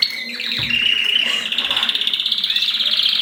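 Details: Mosaic canaries during mating: a brief slurred whistle leads into a fast, even, high rolling trill lasting about two seconds.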